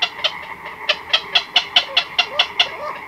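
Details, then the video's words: Black-crowned night herons in a colony after dark, chicks and adults recorded close up: evenly spaced, sharp clucking clicks, about three per second, over a soft background murmur. "Black-Crowned Night Heron. Calls CU From Chicks & Adults In Colony At Night"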